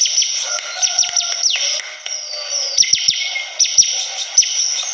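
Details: Lively bar-winged prinia in rapid ngebren-style song: a high, buzzy sustained trill over about five seconds, broken by fast downward-sweeping chips, a brief dip midway, then the trill resumes with sharp accented notes.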